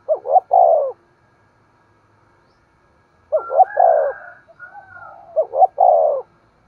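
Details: Spotted dove, cooing to stimulate a decoy dove to coo and call: one low three-part phrase, a pause of over two seconds, then two more phrases of rising notes and falling coo, a softer overlapping coo between.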